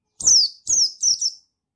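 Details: A male buxtoni white-eye (pleci) sings a lure song used to stimulate other males: three quick phrases of high, thin, downward-sliding whistles, the last doubled, with faint low rustling beneath.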